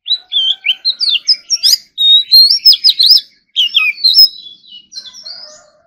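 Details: Oriental magpie-robin in competition-style morning practice, pouring out dense, energetic song of varied whistles, slurred sweeps and quick chips in three long bursts.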